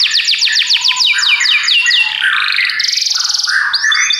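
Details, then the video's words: Belgian canary song opening with a quick series of about ten descending whistled sweeps, followed by lower buzzy rolled notes and a fast high trill. "Os canários belgas cantam espetacularmente"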